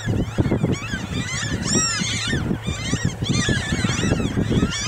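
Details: At Grand Forks, North Dakota, on 13 May 2013, a hungry flock of Franklin's gulls follows a tractor harrowing a field for grubs, giving constant overlapping, high, nasal mewing and yelping calls over the low engine rumble.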